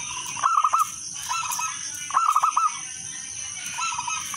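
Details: Local zebra dove in full song, a lure recording meant to start other doves singing. Three soft trilled phrases, each a quick run of bubbly cooing notes ending in a drawn-out coo, with a constant high-pitched hiss behind.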